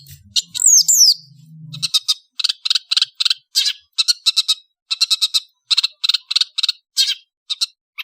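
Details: Indonesian long-tailed bird singing in the afternoon: a swooping whistled phrase, then a rapid series of short, harsh, buzzy notes repeated about three times per second, with a brief low hum at the start.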